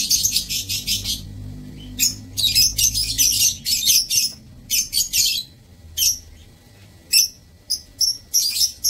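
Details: A flock of lovebirds kept in a breeding aviary on 15 April 2024 squawks in dense, harsh, high-pitched bursts, some runs continuous, then spaced single shrieks.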